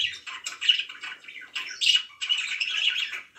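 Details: Domestic budgerigars give raspy chirps and squawky warbles in uneven bursts, ending in a sustained run of busy chatter.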